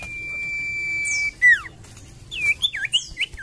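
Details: Common iora singing, a lure recording: a long steady whistle held near one pitch, then a loud sharply falling whistled note, followed by quick looping whistled phrases and high descending sweeps.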